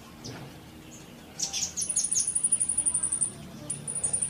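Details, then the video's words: Sunbird tutor recording for fast singing: after a faint start, a rapid train of very high, thin, sharp notes repeating about three per second, pausing briefly, then resuming, over low background rumble. "Masteran Kolibri cepat bunyi!!"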